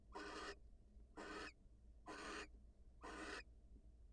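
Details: Wild barn owls at a nest, the female leaving the nest to greet her mate: harsh, broad hissing screeches about 0.4 seconds long, repeated roughly once a second, four in a row, with steady low hum behind.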